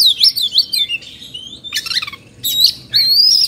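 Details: Agitated Oriental magpie-robin, called kacer in Indonesia, singing in the 'kongslet' emotional style: sweet whistled notes sliding up and down, broken by short harsh buzzy bursts, with a long bright rising whistle at the end.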